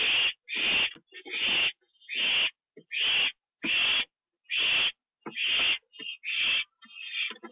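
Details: Owl calling on 24 September 2011 at 7:39 PM while a food delivery is eaten on the roof; harsh, breathy hissing screeches, roughly one every second, steady and evenly spaced, ending in shorter broken rasps.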